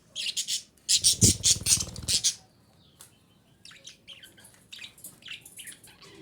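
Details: A female budgerigar gives calls used to encourage breeding: a run of loud, buzzy, rapidly repeated chirps for about two seconds, then softer, scattered twittering notes.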